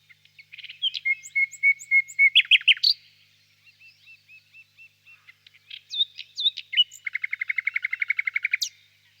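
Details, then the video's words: Varied nightingale song in a birch grove on a warm spring evening: a long pure whistled note, sharp sweeps, soft repeated hooked notes, then a rapid rattling series of clicks. "Пение соловья"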